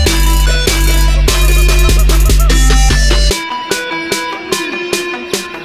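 Loud music with plucked guitar and heavy beating drums, the beat stopping partway through and leaving sharper struck notes; no animal voice is heard.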